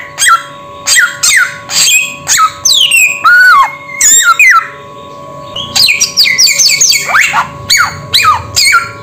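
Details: Samyong bird in a lively run of sharp squawks, falling whistles and a longer rising-falling phrase, with a brief quiet spell midway and steady hum behind.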